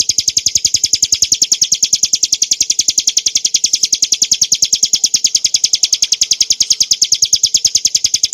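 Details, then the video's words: Clear ngebren nembak song of a Hill prinia, used as a model for training cage birds: a steady, unbroken run of bright, high-pitched ticking notes, three to four each second, holding the same pitch and loudness throughout. "kicauan burung ciblek gurun untuk masteran & pancingan - suara jernih ngebren nembak"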